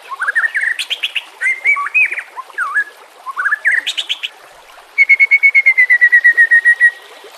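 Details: White-rumped shama song for training captive birds: varied whistled slurs and chattering bursts, then a long even trill of rapidly repeated notes sliding gently downward.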